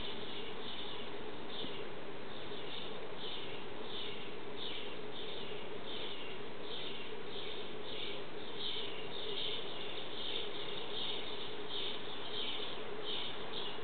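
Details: Bluebird fledglings begging while being fed by their parents: short, buzzy, high chattering notes repeated steadily, roughly one to two per second, over a constant low rumbling background noise.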